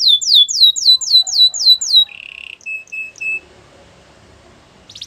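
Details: Canary singing a training song: seven clear descending whistled swoops in steady rhythm, followed by a short buzzy burst and a few thin spaced notes, then near silence before a final buzzy note.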